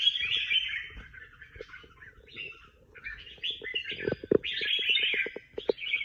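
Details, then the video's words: Contest songbird singing among prize-winning birds: rich warbled phrases in short bursts, accompanied by a run of sharp clicking knocks in the second half. "Những chú chim hót đấu hay nhất và được nhiều giải nhất"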